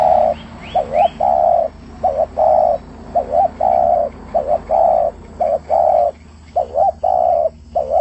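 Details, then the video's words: Spotted dove cooing energetically in rapid succession: paired short wavering notes then a sustained hollow coo, repeated many times. A few thin rising chirps from another bird open the passage. "Burung trkuku gacor"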